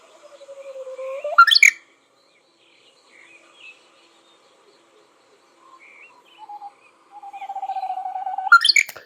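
Korean bush warbler song: a long, steady low whistle that snaps into a sharp, explosive rising flourish, given twice about seven seconds apart.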